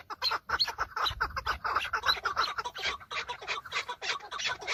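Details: Chukar partridge males clashing during breeding season, recorded from a car: overlapping, rapid chuckling notes pour out in a thick, continuous chorus with a few sharper high accents.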